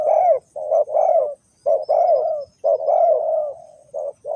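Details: Spotted dove from Ninh Thuận, Vietnam, used to call wild doves into a trap, utters drawn-out, slightly descending coos, some long and rolling, separated by short gaps.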